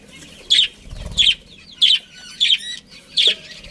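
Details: Kept budgerigars from a breeding colony, five sharp, high chirps spaced roughly two-thirds of a second apart, each a short buzzy burst, with quiet room noise between them.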